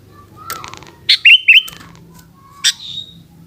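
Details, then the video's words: Sooty-headed bulbul in the afternoon giving a sharp note then two rising whistled notes, with scattered soft chattering and a later high buzzy note fading out, over low background noise. "Burung kutilang oceehan disore hari"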